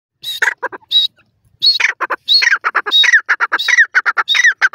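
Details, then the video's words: Grey francolin, known locally as irani teetar, giving loud repeated harsh notes, a high whistled note near the start of each phrase followed by rapid clipped syllables in quick bursts. "irani teetar ki awaz,irani teetar voice,grey francolin"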